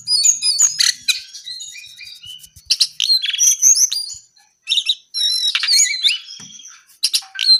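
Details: Lively song of a brown-eared bulbul: fast, jumbled high whistles, chirps and slurred notes delivered in bursts about three a second, with a brief pause near the middle.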